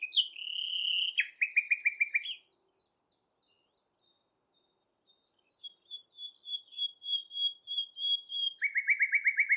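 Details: Common Nightingale in song at Thurrock Thameside Nature Park, filmed with a Panasonic GH6: a pure whistle, a fast rattling trill with very high buzzy notes, a near-silent pause, then a rising crescendo of repeated whistles ending in another rapid trill.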